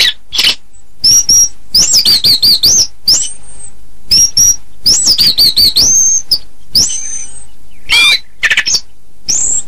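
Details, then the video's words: Chestnut-capped thrush song of clear, high, wavering whistled phrases that rise and fall, mixed with dry clicks and scratchy notes. "Suara Burung Anis kembang"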